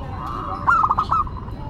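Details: Local zebra dove singing in the classic, unusual style: a short burst of quick, trilled cooing notes, steady mid-pitched and rolling, against a low background hum.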